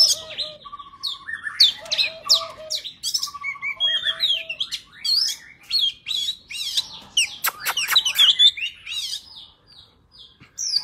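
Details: White-rumped shama forest-style song used to train young birds: a rapid, varied run of high whistles, sweeps and chirps, mixed with lower repeated trilled notes and sharp clicks.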